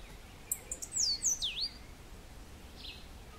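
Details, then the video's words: Cabanis's ground sparrow (Costa Rican ground-sparrow) at Grecia, Costa Rica, giving a quick run of very high, thin notes, sharply slurred up and down over about a second, then one faint note after a pause. "Costa Rican Ground-sparrow, Cabanis's Ground Sparrow"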